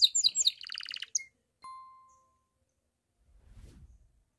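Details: A painted Belgian canary sings its "bell" song, a quick burst of high, bright trills and pulsed buzzy notes followed by a steady pure ringing tone, with a low rumble.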